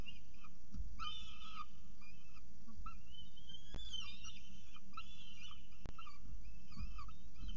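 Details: At the nest at Orange, peregrine falcons during the day's first feeding, 6:36 am, 21 October 2018: thin wailing calls that bend upward and repeat in short phrases, above steady low-pitched hum and occasional sharp knocks.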